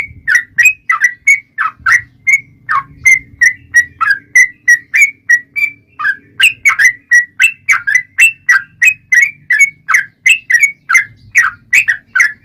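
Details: Lively yellow-vented bulbul 'ropel panjang' lure song, played to provoke other bulbuls into answering: a long unbroken string of liquid, chirpy whistled phrases, roughly three a second, fairly steady in pitch, soft low rumble behind.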